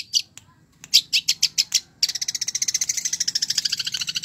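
Long-tailed Shrike giving harsh, high chattering notes, first spaced about six a second, then a fast, even rattle of about ten notes a second.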